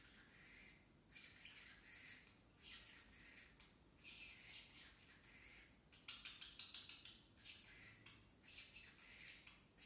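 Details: Juvenile pet parrotlet learning to talk: repeated breathy, scratchy high phrases roughly every one to two seconds, ending in a quick stuttering series of clicks and chirps.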